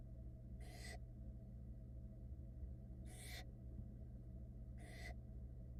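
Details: At a Florida barn owl nest box in 2022, the chicks give three separate breathy screeching hisses, spaced one to two seconds apart, as the wet mother tries to dry off. A low mechanical drone runs underneath.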